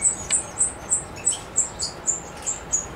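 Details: European goldfinch, Macedonia, 7 July 2011, delivers a regular string of piercing high chirps, roughly three per second, with a few lower notes between.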